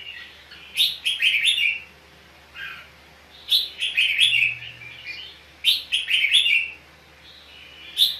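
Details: Fighting-contest song of a red-whiskered bulbul used as a decoy bird: three lively bursts of rapid, rich warbled notes, each lasting about a second, separated by brief pauses.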